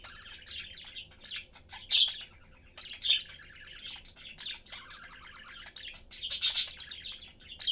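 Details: Pet budgerigar family of three, a father, mother and young bird, chatting while playing and eating; soft chirps and squawky chatter in short bursts, with a few louder sharp squeaks.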